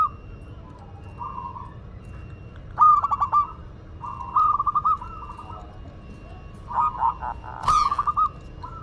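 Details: Local Madura zebra dove singing actively: clipped, rapidly stuttered coos break into rolling phrases, four main bursts with pauses between, plus a brief sharp click.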